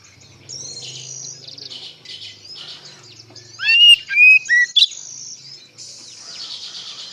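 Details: Oriental magpie-robin singing in the loud, open ngeplong style, used as a lure so untrained magpie-robins answer: soft twittering chatter, then a burst of clear, loud whistled notes, some rising and some falling, near the middle.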